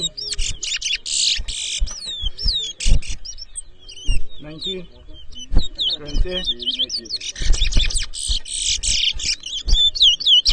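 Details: Caged chestnut-bellied seed finches (towa towa) in a 2023 bird whistling competition between two birds at Edinburgh Village, Guyana; rapid sweeping and slurred whistles mixed with buzzy bursts, over crowd chatter and low thumps.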